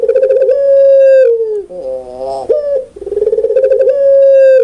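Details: Puter pelung ringneck dove giving loud, clear coos: two long, steady, resonant hoots with a broken, wavering middle note between them, close and dominating the recording.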